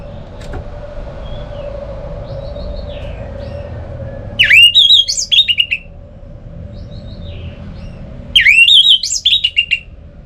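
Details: Two loud bursts of jumbled, scratchy whistles and twitters from an orange-headed thrush, each about a second long and four seconds apart, with quieter faint notes and a steady low hum between them.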